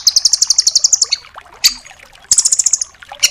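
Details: Velvet-fronted nuthatch (rambatan doraemon), tembakan-style training song: a long, fast trill of about a dozen high, ringing notes, a pause with a couple of sharp single notes, then a second rapid trill.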